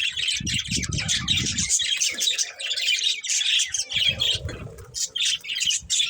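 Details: Busy flock of budgies chirping in rapid, rasping, overlapping chatter, with low rumbling bursts during the first two seconds and again around four seconds.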